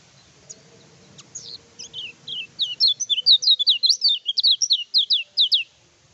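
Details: Kecial kuning in full song, meant to provoke rival birds during training: a few scattered high chips build into a fast, steady run of sharp, downslurred whistled notes, roughly two to three per second.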